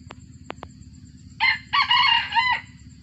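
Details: After a few sharp ticks, a captive first-generation junglefowl bred from wild stock crows: a short raspy note, a pause, then a longer coarse phrase ending in a falling tail.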